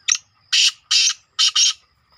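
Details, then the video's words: Young black francolin (kala teetar chick) calling loudly at close range: four harsh, grating bursts, the last two run together, each about a fifth of a second long, in a quiet setting. "Kala Teetar Ka Bacha 8 ki Speed | Black francolin Patha One Miniute 8 Voice"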